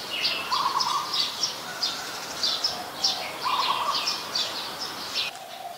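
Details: Streak-eared bulbul at Ubon Ratchathani, Thailand, on 22 July 2022, a very common resident; rapid series of bright, clipped high notes alongside two lower buzzy trills, the chattering ending abruptly near the close.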